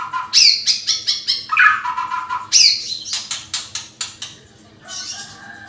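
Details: White-rumped shama singing energetically in a recording used to lure other birds: loud, varied bursts of bright whistles and chattering notes, some sweeping down, delivered in rapid runs with brief pauses, then a softer stretch at the end.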